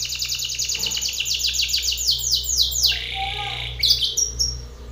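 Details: Aggressive Belgian canary male singing loudly at a rival male: rapid high falling sweeps repeated in a fast roll, shifting at mid-phrase into a buzzy, rattling trill with a sharp accented note near the end; faint low hum behind.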